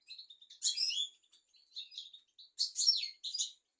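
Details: European goldfinch song used as a tutor recording for young goldfinches and canaries: high twittering bursts with buzzy, tinkling phrases broken by short pauses.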